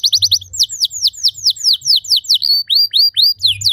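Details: Canary song for teaching other canaries: a quick high trill followed by slower repeated downward sweeping notes, about three per second, then rising whistled slurs.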